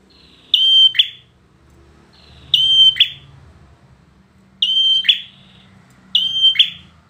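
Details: Four phrases from a competition-grade bar-winged prinia: a clear, steady whistle held for half a second, broken off by a brief harsh buzz, separated by quiet pauses of about one to two seconds.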